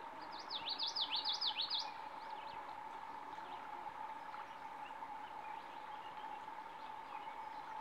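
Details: Common yellowthroat song: a rapid run of zigzagging high notes, repeated phrases lasting about one and a half seconds, followed by silence from the bird, with a steady low hum and faint distant chirps.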